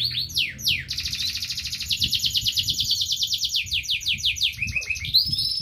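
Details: Local canary singing: swept opening notes, then a long fast rolling trill of rapid repeated high notes, ending with twittering phrases, over a low background rumble.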